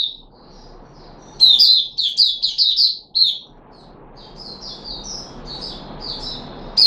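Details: Puteh Raja, a captive red-whiskered bulbul, 13 April 2021, fed fruit juice and a mealworm: a loud cluster of rapid, bubbly whistled notes, then a quiet gap and softer, thin warbled phrases against faint room noise.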